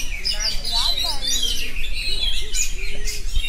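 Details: Oriental magpie-robin pouring out nonstop ngerol song: bright whistled slurs and quick chattering notes, with a faint murmur of voices beneath.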